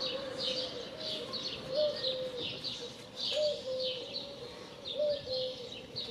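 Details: Low, smooth dove coos come in short rising-then-level notes roughly every second, beneath busy, repeated high chirping from other birds.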